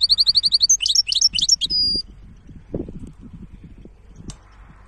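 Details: A goldfinch hybrid sings a quick series of repeated high chirps, then several slurred notes and a short sustained buzzy tone, before quiet low background noises fill the rest.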